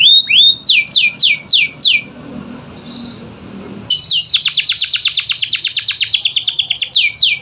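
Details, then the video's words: A canary's lure song for silent birds: a rising note, then five quick downslurred whistles, a quiet gap, and a long steady run of rapid sharp notes repeated to the end. "Pancingan Kenari Malas Bunyi‼️Dengar Langsung Nyaut Gacor Dor"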